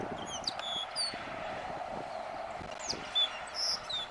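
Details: Greyish baywing (Agelaioides badius) singing short, clear whistled notes, some sliding up or down, scattered unevenly over four seconds against a steady background hum and a few clicks.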